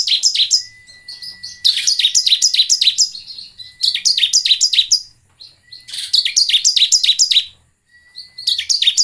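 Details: Bar-winged prinia song, used as a lure to get other birds singing eagerly. Loud bursts of rapid, high, downward-sweeping notes come in runs of one to two seconds with short gaps. A faint, steady, thin tone sits between some bursts.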